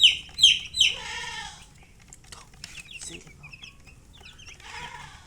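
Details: Three loud, sharp descending chick peeps open the clip, followed by a harsher lower call, then softer scattered chirping from several chicks.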